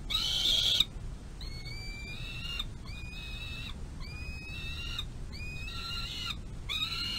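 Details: Ravenous young peregrine falcons on a nest-box runway, May 25 2022, as the mother feeds one eyas; a loud burst opens, then a steady series of short, slightly rising, harmonic whining calls about every three-quarters of a second.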